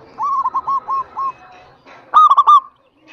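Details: Zebra dove of local stock singing to get lazy doves going: a softer, more distant run of hooked coos, then a loud close rapid triple-note roll, over faint background hiss.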